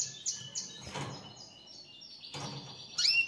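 A canary sings a continuous high, rolling run of trills and bright chirps. Two brief rustling bursts of noise break in.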